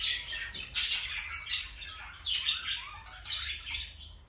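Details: Budgerigar pair courting before mating, voices overlapping in rapid warbled squawks and chirps, harsh bursts alternating with thin twittering notes in an unbroken stream of chatter.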